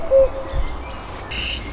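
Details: A common cuckoo, recorded with a parabolic microphone in the Vendée marsh and bocage in spring just after arriving from Africa, gives a short, low, hollow note and a fainter second, with thin high whistles of other birds behind.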